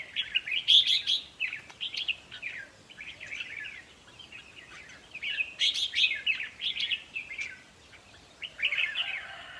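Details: Chattering song of Red-whiskered bulbuls, used for decoy trapping and played to excite listening birds: quick warbled phrases in two clusters, several birds overlapping, above a light hiss.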